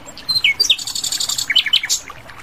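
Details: Asian brown flycatcher in the wild giving a lively jumble of high squeaky notes, quick slurs and twittering chirps, delivered loud and fast.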